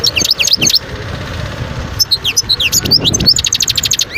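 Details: European goldfinch singing in the wild at Guerbaz, Skikda, Algeria, 2022: a short twittered phrase, a pause of about a second, then mixed slurred notes and a rapid string of repeated ticking notes.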